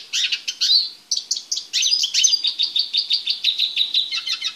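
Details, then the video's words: Eurasian siskin male kept briefly in a small cage ahead of mating sings quick high twitters and slurred notes, then a steady series of repeated sharp chirps, about three per second. "Carduelis Spinus Song"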